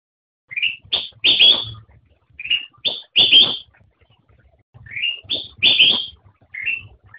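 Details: A black-crested bulbul sings two similar phrases of bright whistled notes, each ending in strong falling notes, with about a second of silence between them.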